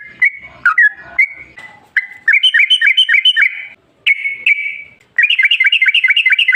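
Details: Yellow-vented bulbul, used as a lure for other bulbuls, sings in separate bursts of fast, bubbling whistled notes. A brief silence falls between the bursts, and the final burst is the densest.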